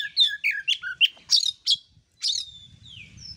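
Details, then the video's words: Oriental magpie-robin singing on a training master recording for birds not yet in full voice: a run of sharp descending whistles and chips, one every quarter second, then a long drawn slurred whistle and soft background rumble. "pancingan kacer/ masteran kacer, yang suaranya belum ngepplong"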